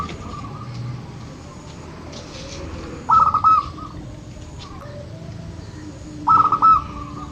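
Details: Local zebra dove, played to encourage birds that seldom sing, delivers two brief clusters of rapid clipped coo notes about three seconds apart against a low background rumble.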